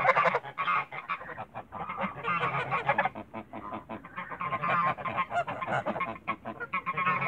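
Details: Several Toulouse geese in a backyard honking loudly and steadily, harsh nasal calls overlapping without a break throughout.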